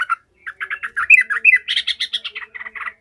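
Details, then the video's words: Agitated yellow-vented bulbul chattering angrily: a quick stream of bubbly, harsh notes, several with sharp rising whistled accents, growing louder and buzzier midway before trailing off. "Trucukan gacor ngamuk ngekek emosi"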